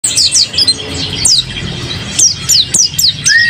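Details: Kept mountain white-eye singing energetically: short high, thin downslurred whistles in quick bursts, with brief pauses between clusters and a final rising note.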